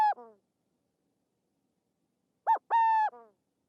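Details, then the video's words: A wintering Burrowing Owl in Texas, using a culvert near a home and active by day, gives short, nasal little barks, a clipped pair, then a quick run of three after a pause, each slurring downward. "listen carefully to hear the burrowing owl's little barks [Music] [Music]"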